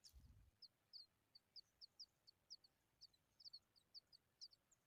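Familiar Chat nestlings give thin, high, squeaky begging calls, short notes repeated irregularly about once a second, with a brief low thump at the start.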